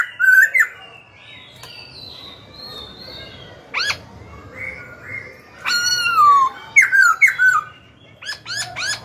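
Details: Training song of a young Black-throated Laughingthrush meant to stir wild-caught birds to fight and teach chicks. Scattered loud whistles, sharp upward-sweeping notes and quick bright phrases over a soft warbling background.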